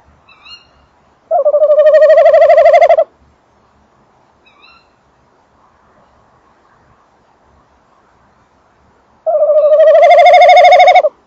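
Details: Tawny owl pair at a nest box, the male near and inside it and the female audible: two long wavering trills about eight seconds apart, with soft thin high squeals in the quiet gap.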